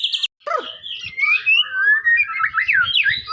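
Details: White-rumped shama of the Medan type singing a lively run of clear whistled phrases, sliding notes and quick rising and falling trills, after a brief sharp opening burst.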